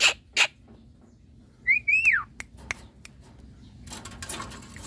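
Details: Semi white-eyed Javan myna bathing in a cage: two harsh chattering notes, then a long clear whistle that rises and falls, followed by scattered clicks and a closing rush of scratchy noise.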